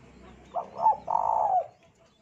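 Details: Lure song of a spotted dove for prompting other doves to sing: one phrase of two short low coos, then a sustained, slightly rolling coo, over a soft low background hum.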